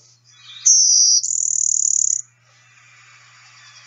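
A Blue-winged Warbler gives its two-part type 1 song: a thin, high buzz, then a longer, rougher buzz, together lasting about a second and a half.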